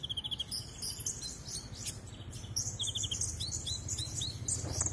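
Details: Caged Van Hasselt's sunbird in full song, showing off learned fill-in phrases: quick, very high chirps and squeaky notes, with short rapid trills of repeated pips, over a low steady hum.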